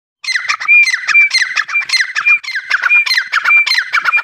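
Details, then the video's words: Grey francolin, called Iranian teetar, giving a dense run of harsh, squawky notes repeated rapidly and without pause for about four seconds, broken by brief clear whistled notes roughly every half second. "iran teetr ki awaz||partidage voice"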